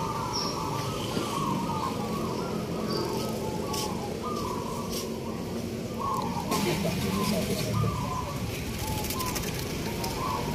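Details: Zebra doves in a local singing contest at a market in Yogyakarta, Indonesia: repeated short cooing phrases in steady runs over constant crowd chatter, traffic rumble and background music.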